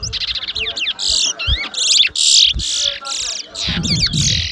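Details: Chestnut-bellied seed finch (towa towa) singing in a 2022 whistling competition at Mahaica, Guyana; rapid, loud warbled phrases of buzzy and whistled notes, about two or three per second, with low crowd noise beneath.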